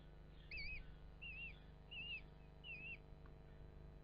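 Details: Common kestrel at a nest in a ventilation hole of a traditional field barn above Hubberholme, Langstrothdale, Yorkshire Dales; four drawn-out, quavering, whistled calls arrive roughly every three-quarters of a second over a faint hum.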